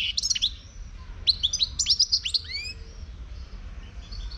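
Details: European goldfinch, a wild bird from Morocco, gives quick bright twittering phrases of sharp high chips and upward-sweeping slurs for about three seconds, then falls mostly quiet with only faint distant notes.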